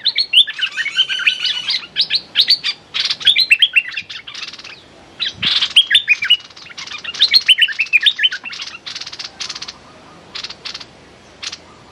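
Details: Decoy streak-eared bulbul calling at a captive female bird: repeated bouts of quick, bright chirps and downslurred whistles, broken by short pauses and harsh fluttery bursts, thinning out toward the end.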